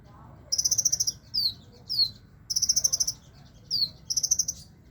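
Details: Caged sunbird kept low still sings persistently, alternating shrill rapid trills with one or two quick falling whistles in a regular repeating pattern.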